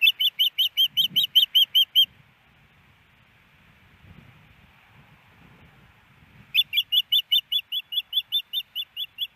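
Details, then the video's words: Female osprey at her nest in Hellgate Canyon, Missoula, Montana, on April 28, 2019, after a snowy morning, calling while waiting for a fish from her mate: rapid series of high, sharp piping notes, two bursts separated by a quiet pause. "Iris Needs A Fish but No Fish!"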